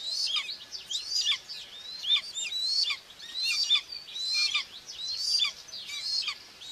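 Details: Common buzzards at the nest in Tiszalök, Hungary, June 2, 2024, the mother feeding two chicks, captured by a nest camera: steady series of high, thin whistled calls with short downward slurs, roughly one each second.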